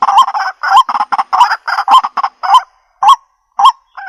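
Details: White-breasted waterhen (kuro-wakwak) sounds played through a Bluetooth speaker: loud, harsh croaking notes in a fast series, about two per second, then slowing to spaced single calls, with human laughter nearby.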